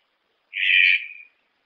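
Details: One drawn-out, grating croak from a red-breasted toucan, strong in the middle and tapering to a thin tail, with clean silence before and after.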